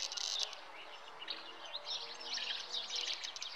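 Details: Common house martin (Delichon urbicum) at its nest giving soft, dry twittering chirps in quick, overlapping bursts over a steady background hiss; call.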